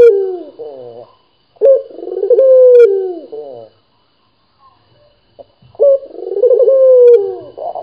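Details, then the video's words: Local Barbary dove repeatedly cooing, rolling throaty phrases with a held falling final note, a quiet gap with faint knocks, then another coo. "SUARA BURUNG PUTER GACOR | BURUNG PUTER LOKAL GACOR"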